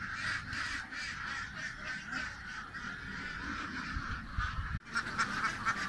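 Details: Ducks, many calling together in a dense, continuous chorus of rough quacks that overlap without pause; a brief sharp break near the end, after which the nasal calling resumes.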